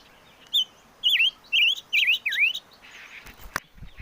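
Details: Chim ngũ sắc song: a short lead note, then a run of four rapid, rolling whistled notes dipping and rising, about two per second, followed by a few clicks and a brief knock.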